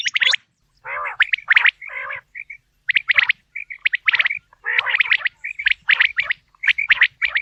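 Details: Quail heard for hunting. Rapid, clipped double and triple notes mix with short raspy gargles in a busy, uneven sequence with brief pauses.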